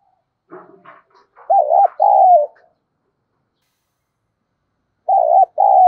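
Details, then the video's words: Spotted dove decoy bird cooing to lure wild birds: stuttered opening notes, then two short arched coos and a long burry coo, with a second pair of coo notes after a pause of about two seconds. "Chim Cu Mồi/ cu gay kich boi nhanh noi gù hiệu quả, kích rất nhạy, bổi nghe là gáy"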